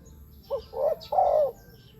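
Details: One spotted dove coo phrase, played to attract wild doves to decoys on the ground, a branch or a trap cage: a brief low note, a rising-falling coo, then a longer falling coo.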